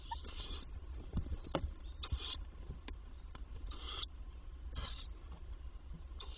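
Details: Tawny owl at a nest box on 27 May 2023, by day, as the female comes to feed the young: five short, harsh, high hissing bursts about every second, with low background rumble.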